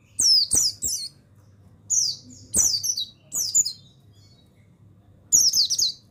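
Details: Buxtoni mountain white-eye male in a recording used to stimulate reluctant birds to sing: clustered bursts of thin, very high, descending chatter, several in quick succession, then a pause and another burst.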